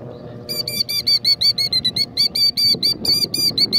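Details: A female Killdeer near her nest of eggs in rocks, upset by a person and performing a broken-wing distraction act, gives a rapid series of high, shrill notes, about six or seven each second, over a low background rumble.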